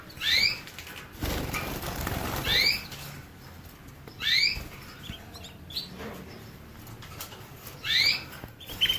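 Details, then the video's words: Canary singing: bright upslurred notes with a clear overtone, given in short bursts about every two seconds, with soft clicks and rustling between phrases. "Bird motivator sounds the basics of canary birds' singing"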